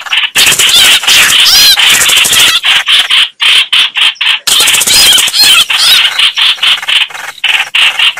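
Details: Red-whiskered bulbuls fighting: loud, harsh, dense chattering and scratchy bursts in rapid succession, broken by brief gaps, almost continuous throughout.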